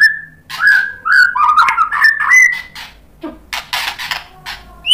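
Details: White-rumped shama singing to provoke other shamas: a string of clear whistled notes stepping up and down in pitch, followed by several harsh, scratchy bursts and a final rising whistle.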